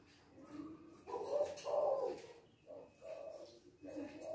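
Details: Loud-voiced male spotted dove of the kuk-2 style cooing deeply: a long, strong coo phrase followed by shorter hollow notes in quick succession, with some speech and room noise behind.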